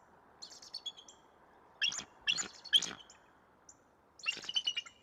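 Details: A pair of Bald Eagles at Decorah, Iowa, on 21 November 2022, calling while driving off an intruder: loud bursts of shrill, high chittering notes in quick runs, with short pauses between bursts.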